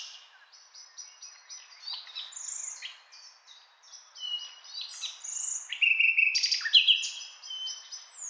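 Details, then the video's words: Common nightingale in a continuous varied song of short high whistles, chirps and clear sustained tones, building toward loud rising and falling whistles and sharp notes near the end. "Beautiful Nightingale Singing"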